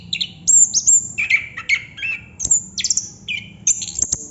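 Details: Chestnut-capped thrush delivering 'ngerol' song: short bursts of high piercing notes and downward-slurred mid whistles, repeated in quick succession with brief gaps.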